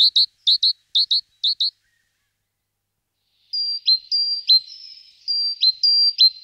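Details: Quick paired bright notes from a great tit occupying a nest box, repeated four times. After a silence come drawn-out, level thin whistles broken by abrupt downward slurs.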